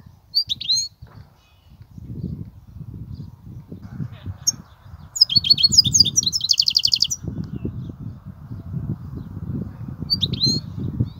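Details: European goldfinch voicing its Kubiya song: isolated high chirps, then a rapid, tinkling trill with buzzy notes around the middle, and a final chirp, heard above a low background rumble and faint hum.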